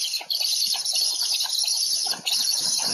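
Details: Black stork at afternoon feeding, Łódź, 20 July 2020, with a dense, breathy hiss and a quick scratchy ticking beneath it, running through the whole short stretch.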